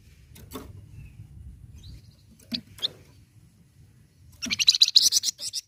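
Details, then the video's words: Flamboyan bird song for prompting caged birds to sing: a few scattered faint ticks, then a fast, high, buzzy trill of repeated notes lasting about a second. "Suara Khas Burung Flamboyan Sangat Ampuh Bikin Flamboyan Bunyi"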